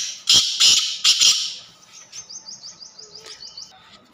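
A black francolin gives four harsh, grating notes in a quick burst. A thin, rapid twitter of high chirps follows from another small bird.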